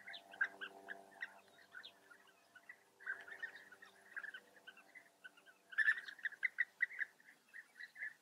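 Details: European bee-eater colony, Eifel, Germany: a low droning hum opens, then repeated burry rolling calls from several birds, growing louder and more crowded toward the end.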